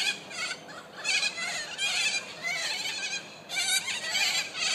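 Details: A flock of corellas at Murdoch University, Perth, Western Australia, keeps up harsh, rasping screeches that overlap almost without a break, pulsing louder and softer every second or so.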